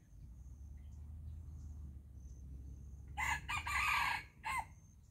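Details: Red junglefowl in the early season gives a spirited crow, a rough, buzzy phrase lasting over a second, then a short clipped note. A constant low rumble runs underneath.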